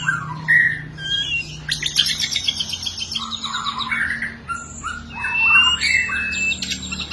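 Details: Energetic white-rumped shama song used to shape caged birds: dense high buzzy notes and clear whistled phrases tumbling over one another, with a faint low hum beneath.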